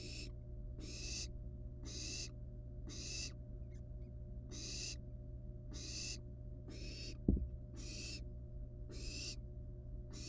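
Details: Wild barn owl nestlings in their nest with a still-living rat, toying with it before the kill; a long run of rasping, hissing screeches, each under half a second, coming about once a second, with a low hum and one sharp knock.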